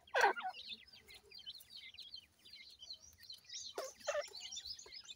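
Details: Grey francolin chicks being fed by their mother: a loud harsh rasp opens, then soft high chirps and peeps chatter steadily, broken near the fourth second by another pair of loud rasping notes.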